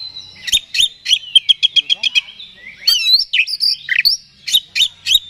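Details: Kept oriental magpie-robin song used to provoke and excite another bird; a rapid series of clipped ticking notes, then swooping whistled slurs and sharp chirps in lively bursts.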